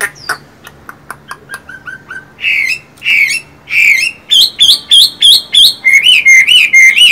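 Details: A Chinese hwamei sings loud, rich phrases: a run of short clicks and chips, then repeated slurred whistles rising and falling, about two per second.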